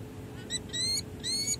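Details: Peregrine falcons, a bonded pair at San Jose City Hall on 16 July 2024 after breeding season, calling during pair bonding. A few short, thin harmonic chips build into two longer slurred squeals. Steady low hum underneath.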